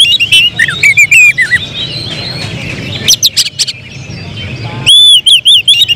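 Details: Oriental magpie-robin (kacer), a contest-prospect songbird whose singing shifts into bursts called tembakan at critical moments: sharp high whistled phrases and rapid chirps, loud buzzy notes near the middle, then a run of fast rising-falling whistles; faint low background rumble.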